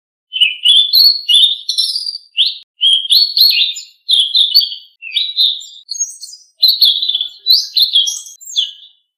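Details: Blue-winged leafbird in full song, used as a training track for caged birds: steady bursts of lively warbled whistles about one second long, rising and falling quickly, separated by short pauses, with nothing else audible.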